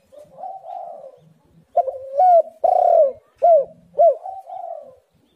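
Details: Spotted dove lure call for quiet birds: a soft coo, a pause, then a rising coo, a long loud note and two sharp hooked coos, closing with a soft drawn-out coo.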